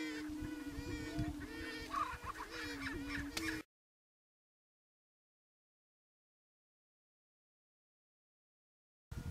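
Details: Sparring greater prairie chicken males boom on a Nebraska Sandhills lek in April before females arrive; about three seconds of low droning hoots layered with busy cackles, followed by a long silence and a brief return.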